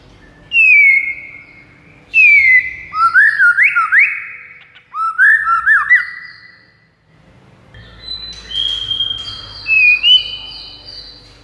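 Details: White-rumped shama song used as a lure for rival males: loud clear whistled notes sliding down from high pitch, then bursts of rapid warbled phrases and high drawn-out whistles near the end, with faint low background hum.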